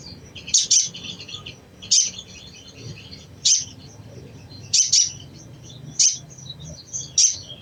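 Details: Crimson sunbird giving its cecretan chatter, said to trigger other sunbirds to sing: loud, high double and single chips roughly every one to one and a half seconds, linked by rapid scratchy twitters, over quiet low hum.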